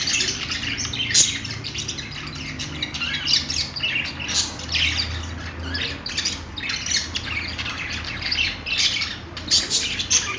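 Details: Budgerigars, known as Australian parakeets, chirp nonstop in fast, scratchy twitters and squawks, dense overlapping calls from more than one bird above a low steady hum.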